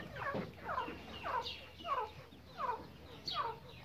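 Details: Grey francolin calling from a distance: six downslurred notes, evenly spaced about every 0.6 seconds, over a steady background hiss.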